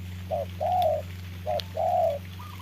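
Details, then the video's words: A spotted dove serving as a trapping decoy while battling a wild bird in the rain gives two coo phrases, each a short note then a longer warbling one, with a faint higher coo at the end and low hum. "Bẫy chim cu gáy mồi đấu cùng bổi trời mưa"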